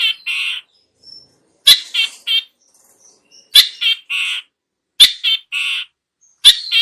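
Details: Long-tailed shrike used as a lure sound: grating, nasal two- and three-part phrases repeated about every 1.5 seconds, with quiet gaps between.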